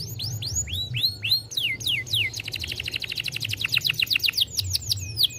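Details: Stimulating song of a young canary: arched whistled notes, a quick downward-sweeping series, then a very fast rattling trill of crisp high syllables and a few looping calls.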